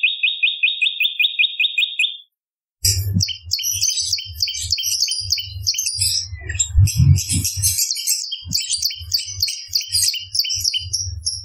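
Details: Bar-winged prinia song used to lure birds. It opens with a quick series of buzzy high notes, then a busy jumble of varied chirps and twitters plays over steady low knocking pulses.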